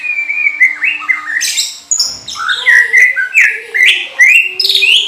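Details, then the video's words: Greater green leafbird (Chloropsis sonnerati) singing at night, used as training audio for captive birds, in rich, varied song: fast runs of clear whistles, chirps and buzzy trills jumping between high and low notes, delivered nonstop. "CUCAK IJO DEXER GACOR JAMTROK MALAM HARI"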